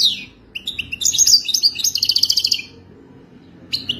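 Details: European goldfinch song in the authentic Wadani style: bright twittering notes, then a fast, even, tinkling trill running for about two seconds, followed by a pause and a short final burst of chirps.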